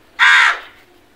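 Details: A single crow's harsh, drawn-out caw, loud and clear, lasting about half a second and fading out, given by a crow searching for food.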